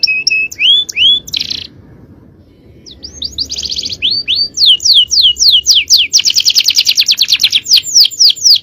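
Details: Male canary singing a fast, powerful tutor song: whistled rising notes, a short buzzy burst, a pause, then accelerating trills and rolling rattles of sharp upslurred notes.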